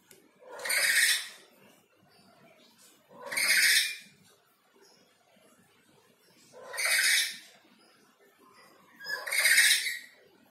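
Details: Black-capped lory calling behind a window, repeating harsh, broadband screeches about every three seconds, four in total, with low murmuring between them.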